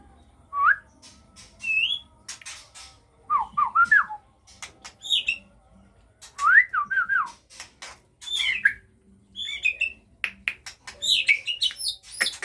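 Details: White-rumped shama of the Aceh type at a breeding setup, with fledglings beginning to fly. Scattered clear whistles, short slurred rising and falling notes, come every second or so and vary in pitch, mixed with sharp clicks.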